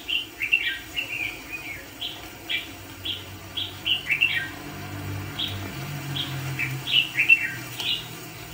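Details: Red-whiskered bulbul kept as a decoy bird for trapping fighting birds, singing a lively run of short bright chirps and slurred whistled notes, some rising and some falling, in quick uneven bursts over a low hum.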